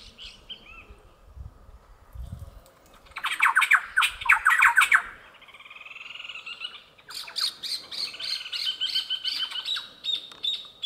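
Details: A family of Thrush-like Wrens near their nest at Jaguar Camp, Pantanal, Brazil, 5 July 2019, loudly protest Purplish Jays with harsh, grating chatters in rapid bursts, softer buzzy phrases between; low rustling early.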